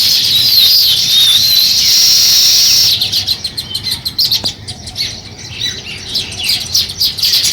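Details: Sparrows chirping as they begin building a nest: a dense, shrill, continuous chatter for three seconds, then separate sharp high chirps and short trills repeated rapidly and irregularly.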